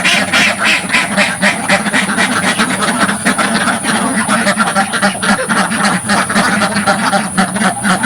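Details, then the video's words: Many ducks in a village farm pen, heard from directly in front, give fast, fairly regular harsh quacks, close to four a second, layered into a loud unbroken din. "LOUD Duck Sounds from the Front of the Pen"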